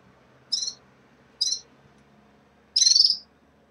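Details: At the onset of moult, caged red-fronted serins give two brief high buzzy chirps a second apart, then a drawn-out trilled buzz, over quiet room background.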